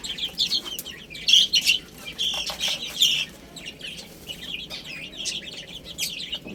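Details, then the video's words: ['A group of little chicks eating and playing. Bright, high peeps come in quick runs, strongest around the first to third seconds, then softer scattered chirps with light tapping.'] "Cute Little Chicks Chirping Sounds | Beautiful Baby Hen Eating and Playing"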